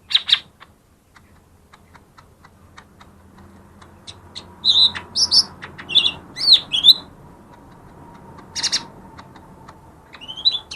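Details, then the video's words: Lesser green leafbird singing as a lure for quiet birds: sporadic chirps, then a varied cluster of whistled and slurred notes midway, with a steady faint hum and a late rising whistle. "suara burung cucak ijo mini yang paling ampuh buat pancing yang malas bunyi"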